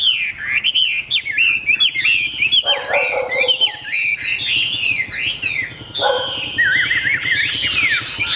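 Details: Caged Chinese hwamei with a fig-leaf tail, praised as a fine singer, pours out a rich, fast song of looping whistles, sharp upward slurs and brief lower mellow bursts, continuous for eight seconds.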